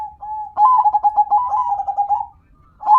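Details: Local zebra dove in an extended singing bout: a held soft note, then nearly two seconds of loud, fast, stuttering coos that gradually drift lower before another phrase begins.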